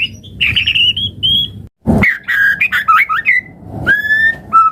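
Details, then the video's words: White-rumped shama song meant to stimulate other birds: sweet warbled whistles, then a dense jumble of twisting notes after a brief gap, closing with long clear whistles and a sharp click. "Pancingan Murai Batu Langsung Respon Auto Bunyi - Masteran Suara Burung Murai Agar Gacor Full Isian"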